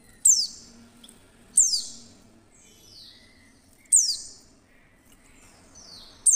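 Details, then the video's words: A female Oriental white-eye gives its clear luring call, used to draw other white-eyes into singing: piercing high notes that drop sharply in pitch, repeated at irregular gaps of about one to two seconds, interspersed with softer falling whistles. "pleci betina SUARA JERNIH pasti cepat memancing pleci buka paruh"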